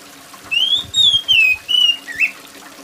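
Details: Oriental magpie-robin with a shrill, loud song: an arching whistled phrase followed by several sliding whistles and a final buzzy rising note, over sounds of falling rain and running water.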